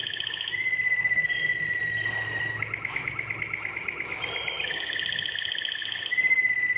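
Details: Song of a Belgian Waterslager canary, a breed kept for its singing: a rolled trill, a level drawn-out whistle, then a fast bubbling roll and a higher trill, with a faint low hum behind.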